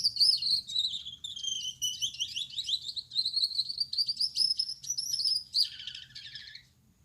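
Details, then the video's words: Male Gouldian finch with yellow back, red head and white chest sings at night; a long high buzzy, rasping phrase with rapid ticking notes over a steady whistled line, ending in a lower drawn-out buzz, soft room hum behind. "Gouldian Finch Singing Gacor"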